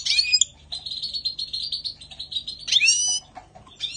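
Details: European goldfinch singing in spring 2020: fast liquid twittering around high pitch, a long run of rapid buzzy-edged notes, then bright tinkling flourishes with descending slurs.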